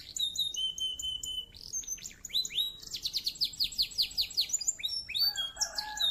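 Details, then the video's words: Canary with a clear voice: steady whistled notes and upward swoops lead into a long, fast rolling trill of repeated chirps, closing with mixed high notes. "Suara Burung kenari Gacor , suara jernih bikin emosi lawan"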